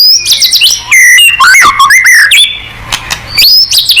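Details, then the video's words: Energetic white-rumped shama song used to trigger answering song: crisp, loud whistled phrases with sharp rising and falling slides, short gaps between bursts, clean background. "MURAI BATU GACOR|Hanya cukup 5 detik Langsung NYAUT!!"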